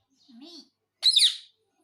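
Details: Talking pet parrot asking for roti; a soft, low wavering murmur is followed by one loud, harsh, high screechy burst lasting about half a second.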